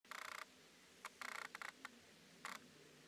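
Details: A cactus wren exiting its nest at Red Rock Canyon NCA, Las Vegas, Nevada, gives harsh, grating chatters: quick bursts of about eight rasping notes, then a few short single rasps, against a quiet background.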